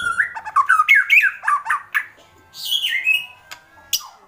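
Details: Agitated white-rumped shama giving kretekan: dense run of quick rising and falling whistled notes, followed by a longer descending slur and a few sharp high clicks.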